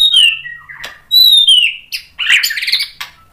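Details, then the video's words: White-rumped shama song for provoking other shamas; two loud high whistles that slide downward, each followed by a lower note, then a harsh, buzzy rasping phrase. "MURAI BATU GACOR MEMANCING EMOSI jadi NYAUT BUNYI BONGKAR MATERI ISIAN | PANCINGAN MURAI"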